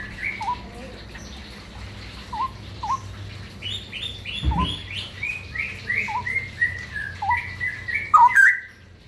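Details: Straw-headed bulbul singing ropel-style over steady background hiss: scattered low whistled notes, then a quick series of higher fluty slurs that closes with a loud, bubbling flourish.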